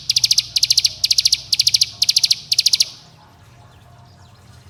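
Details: Bar-winged prinia giving the dense 'bren rapat' song, used as a lure to get young birds singing, said to call companions and provoke rivals: six quick buzzy high trilled bursts of pulsed notes, then near silence with faint hum.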